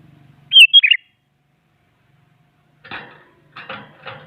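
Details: Sooty-headed bulbul singing actively to provoke rival bulbuls into song: one quick bubbly whistled phrase, followed by a few rough, noisy rustling bursts.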